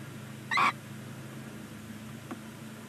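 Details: First-day Barn owl nestling begging inside a chimney-mounted nest box at Ságvár, Hungary: one brief rasping screech, then a faint click, with constant low humming behind.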